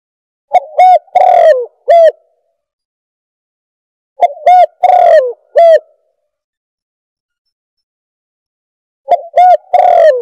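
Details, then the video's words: Lure call of a spotted dove: three identical coo phrases spaced about four seconds apart, each a brief low introductory note, a longer wavering coo and a clipped final coo; no other sounds. "Suara Pemanggil Burung Tekukur | Bird Caller"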